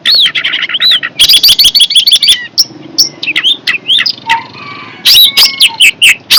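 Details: Long-tailed shrike, noted as fierce, mixing looping whistles with a burst of harsh rapid chatter, then scattered slurred whistles and low tones before a final harsh flurry.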